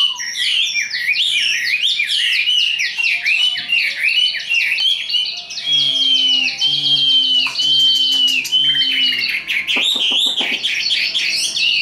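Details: Tame Chinese hwamei kept for fighting sings a long high sequence of rich looping whistles, then a run of steady repeated whistled notes with soft lower tones, ending in sharp trills.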